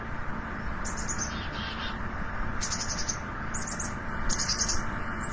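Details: A Black-capped Chickadee gives its namesake alarm call: high, thin notes followed by a few short buzzy bursts about a second apart, over a steady low rumble. More repeated "dee" notes signal greater threat or danger.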